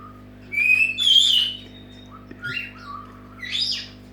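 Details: Senegal parrot, a pet, making its wake-up call: loud rising whistles and harsh squawks in bursts around half a second long, separated by softer lower whistled notes, with a constant low hum behind.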